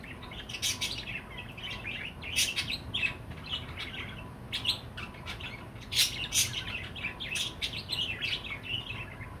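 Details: Pet budgerigar that skates, chirping: a busy jumble of high warbling chirps and squeaks in irregular bursts, over a steady low background noise.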